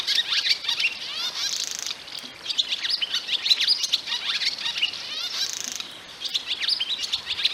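Barn swallow song: a fast, continuous twittering of high chirps and squeaky warbles, broken twice by a dry, buzzy rattle, with no other sounds.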